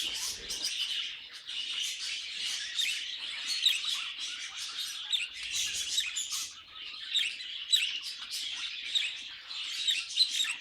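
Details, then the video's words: Budgerigars warbling in lively bursts of bright chirps and whistled squeaks, with pulses of louder chatter separated by brief, quieter gaps. "Budgies Singing and Being Cute"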